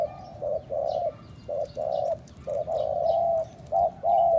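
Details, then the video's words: Spotted dove cooing used to stimulate and lure other doves: low soft hooted coos in short groups, with longer drawn-out notes between brief ones, over a faint background hiss. "7 phút chim cu gáy , kích bổi siêu nhanh"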